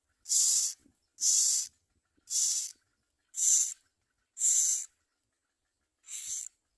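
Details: Common myna at a nest, gathering plenty of food to feed its young; harsh breathy hissing bursts, each about half a second long, repeat roughly once a second.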